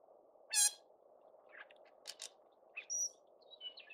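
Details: A Northern Shrike in Adams County, Washington, USA, sings a halting mix of harsh, raspy bursts and thin, high whistled notes.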